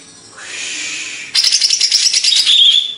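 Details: Greater green leafbird, Banyuwangi, Indonesia: a soft hissing buzz builds, then a lively rattle of quick high chirps repeated several times a second, closing with a bright warbled whistle.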